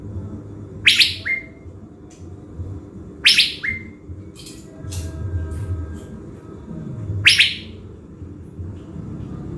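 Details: Caged decoy blue-winged leafbird from Bình Thuận, Vietnam, readied before being taken to the forest. Three sharp, loud descending chirps, each followed by a short steady whistled note, come at irregular gaps of two to four seconds over a low background hum.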